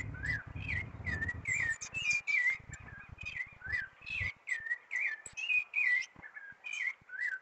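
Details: Rufous-bellied thrush (sabiá-laranjeira) singing in a backyard on the first Sunday of spring, with spring's arrival: a steady run of clear whistled phrases, rising and falling, with sharp high notes between, with low rumbling noise during the first four seconds.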